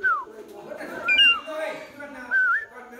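A myna gives clear, slurred whistles, some falling and some rising, in three bursts over about three seconds, over low background voices.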